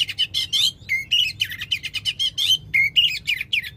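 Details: Rapid, loud song of an oriental magpie-robin used to trigger singing in a magpie-robin that has stopped: closely packed chirps, clear whistled upslurs and chattering notes in a lively varied stream.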